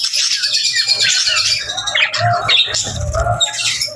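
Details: Budgies give quick whistled chirps with rising and falling slides and scratchy squawks over a background of flock twittering, with a louder harsh burst near the three-second mark.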